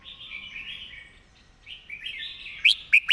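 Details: Red-whiskered bulbul performing a master-style song with quickly delivered, repeated phrases: soft warbled notes, then three sharp, bright chirps near the end.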